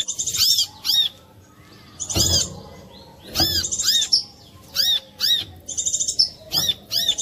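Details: Brown-throated sunbird song used to lure others into singing: a series of high, arched chirps with occasional buzzy trills, and some low knocks and thumps in the background.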